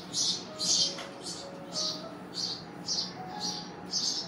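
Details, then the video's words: Baby birds calling out of hunger: scratchy, high-pitched begging bursts repeating about twice a second, louder at first then slightly softer and less even. "hungry baby birds"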